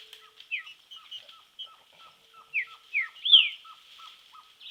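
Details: Green-winged saltator in song training in nature: downslurred whistles and one loud arched note over a faint rhythmic ticking series and steady high hiss.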